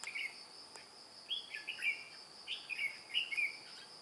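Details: A white-cheeked red-whiskered bulbul, kept as a decoy to lure wild birds into a trap, sings on 2 July 2018 while flapping its wings and beating its tail. It gives a few bright, bubbly warbled phrases in quick bursts against a constant shrill insect drone.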